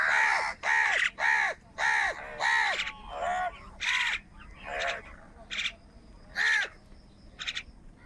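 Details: Crow squabbling with wild birds for food on a rainy morning. A rapid run of five loud, hoarse caws opens the clip, followed by scattered softer caws and chatter.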